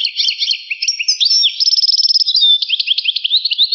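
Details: A European goldfinch, in a rare recording said to date from 1985, sings a fast, tinkling jumble of high twitters and liquid notes, with a rapid buzzy trill in the middle; nothing else intrudes.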